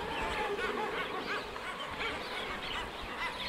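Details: Common guillemots (Uria aalge) in Orkney: a dense, unbroken din of harsh, growling calls from many birds at once, overlapping so closely that no single voice stands apart.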